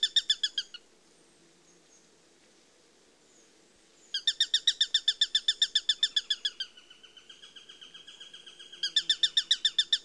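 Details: Eurasian sparrowhawk giving a loud, rapid chatter of harsh kek notes, falling silent for several seconds, then a long fast series that fades to softer, thinner notes before loudening again.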